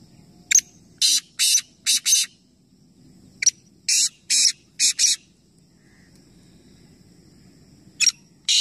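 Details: Black francolin call during a three-bird calling competition at Nawabshah, Pakistan: two full grating phrases of clicks and scratchy bursts, a pause of nearly three seconds, then a new phrase beginning; faint low rumble throughout.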